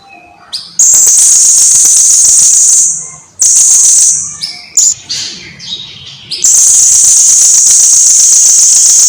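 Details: Lively blue-crowned hanging parrot song, recorded at length as a singing tutor for birds: long, piercing, high trills broken by a cluster of short chips and ticks, then resuming in a continuous sizzle.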